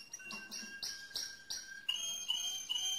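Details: Mosaic canary singing softly: clear whistled notes repeated at a steady pace, first low and level, then higher short whistles rising into a thin series at the end.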